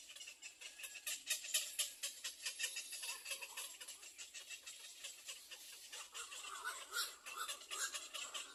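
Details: Hungry Little egret young call for their mother to feed them with fast, crackling chatter of harsh ticks, around two per second, rising and falling in intensity.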